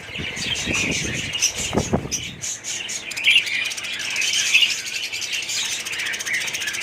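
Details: Aviary colony of budgerigars recorded in 2017, with low knocking and handling thumps at first, then steady bright chirps and twittering from many birds.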